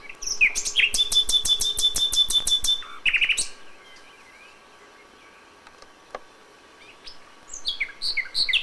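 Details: Common nightingale singing at dawn in May, original recording: a fast burst of sharp, evenly repeated high notes for about two seconds, a brief rattling phrase, a long quiet pause, then fresh varied chirping notes.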